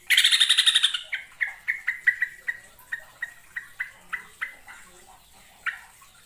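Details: Yellow-vented bulbul (trucukan), a kept songbird trained for contests, singing in the ngekek, nggaruda and ngerol styles: a fast, bright, rattling chatter lasting one second, then a string of short, clear, sharp notes spaced about a quarter-second apart that slow and fade.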